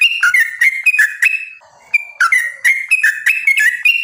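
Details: Sooty-headed bulbul (trucukan) song meant to draw other bulbuls into singing: bright whistled notes jumping between high and lower pitches in quick bursts, a short quiet gap, then more rhythmic whistled phrases.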